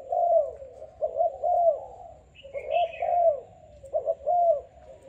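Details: Selected young spotted dove of Malaysian type, captive for about five days, calling strongly with soft, throaty cooing phrases repeated about every second; a brief higher chirping from another small bird cuts in midway.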